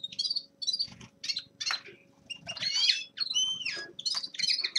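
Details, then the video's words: Young male common linnet in winter warm-up singing: short bright twittering phrases broken by pauses, some clear whistled notes sliding downward near the end, with a faint low steady hum beneath. "Распевка Реполовов песня Carduelis cannabina birdsong"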